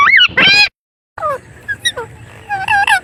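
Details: Parrot calls: two loud, rich rising-and-falling squawks, a brief silence, then softer, clipped chirps and falling notes scattered over the remaining seconds.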